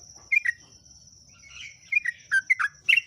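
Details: Yellow-vented bulbul (trucuk) giving scattered chortling notes, a pair early, then a tumbling series of liquid bubbling phrases toward the end, over a faint low rumble and a steady high tone.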